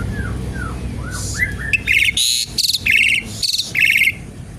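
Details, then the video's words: A lively Asian pied starling song, meant to lure and teach other birds. Soft falling whistles lead into a rhythmic series of loud, harsh, chattering bursts, each about a third of a second long. "jalak suren gacor pancingan tembakan penambah materi isian burung"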